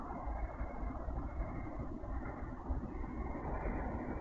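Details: Continuous low rumbling noise, like wind or a distant engine, with no animal sound.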